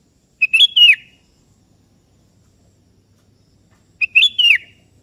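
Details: Sooty-headed bulbul in full song, calling a rival that replies. Two near-identical short whistled phrases, each a clipped lead note then a fluty rising-and-falling slur, come about three and a half seconds apart against silence.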